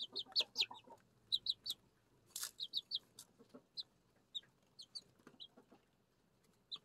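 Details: Six young Araucana and Leghorn chicks at home while eating and drinking, giving scattered high peeping notes, some in short pairs, between pecking and tapping sounds and brief quiet gaps.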